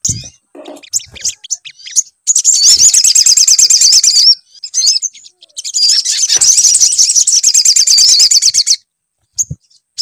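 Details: Lure of sunbird song to encourage singing: isolated high chips, then two extended bursts of rapid, piercing twittering notes separated by a brief gap.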